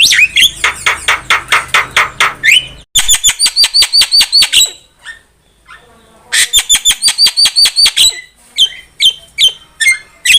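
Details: Javan myna lure song for trapping: long runs of fast, evenly spaced sharp clicks with whistled accents, broken by a short quiet gap, then resuming in similar rapid series.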